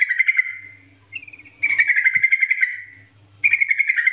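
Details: Yellow-vented bulbul in energetic gacor singing, NGGARUDA style, used as a training master to lure other bulbuls into song: bright chattering phrases in rapid bubbly notes, three bursts separated by short pauses, faint low hum underneath.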